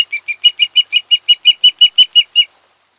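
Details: Osprey at its nest on Kent Island, Maryland, one of a mated pair, late August: a fast run of about fifteen sharp, high whistled chirps, evenly spaced, then silence.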